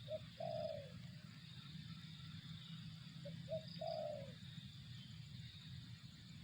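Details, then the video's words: Two spotted dove phrases early on, a short note then a rough falling coo, followed by quiet low hum and a faint high tone. "suara burung tekukur"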